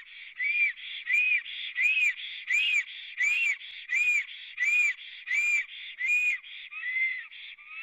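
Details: Black storks on their nest in Latvia, filmed by a live camera on 24 April 2017 around midday: regular, arching whistles about 1.4 per second with a breathy hiss between notes, then lower, sliding whistles at the end.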